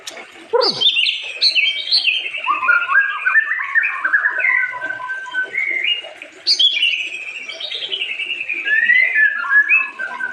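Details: White-rumped shama singing a rich, continuous song. It opens with a sharp, steeply falling note, then runs through varied whistled and chattering phrases that start high and step downward. A second long phrase begins around six seconds, with a faint background murmur.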